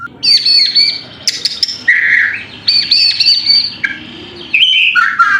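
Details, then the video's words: White-rumped shama, a kept songbird, singing a provocation song meant to stir another bird into singing: loud rich phrases of sweet whistles, harsh chattering notes and sliding warbles in rapid succession, with a faint low hum beneath. "pancingan murai batu AGAR BUNYI jitu untuk JADIKAN murai batu GACOR EMOSI"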